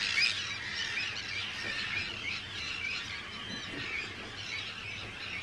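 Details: Hundreds of Arctic terns at a large breeding colony on Rottumerplaat, Groningen, the Netherlands, 4 June 2023; a dense, continuous chorus of harsh, overlapping screeching calls with no single bird standing out.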